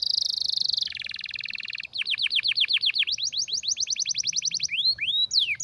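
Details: Canary song described as rare and strong, used to train other canaries: opens with a steady buzzy trill, then a lower rattling trill, then fast series of downward-swept whistled notes repeated about four per second, ending in rising and falling slurs.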